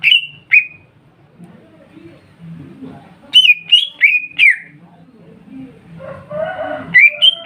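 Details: Leafbird lure song meant to set Kuningan-type and group-kept greater green leafbirds singing: two opening whistles, then a cluster of four falling whistled notes, a soft raspy passage, and a final rising whistle.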